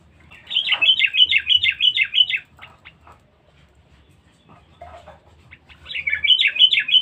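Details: Sooty-headed bulbul kept as a noisy, aggressive lure bird: a rapid run of about a dozen bubbly notes lasting two seconds, a pause with a few scattered notes, then another fast run.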